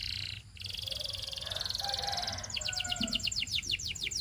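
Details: Canary song for training: a fast, even buzzy roll held for two seconds against background hiss, then switching to a series of quick descending whistled notes repeated several times a second.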